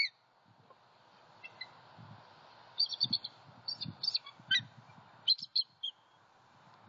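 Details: At night in Southwest Florida, January 2021, a male bald eagle returns and calls near his incubating mate after an owl strike. Scattered high squeaky notes and short chatters are heard over low thumping noise.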